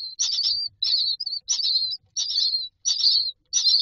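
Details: Hungry myna nestlings in a nest box give rasping bursts ending in thin whistled tails, about one every half second, fairly regular.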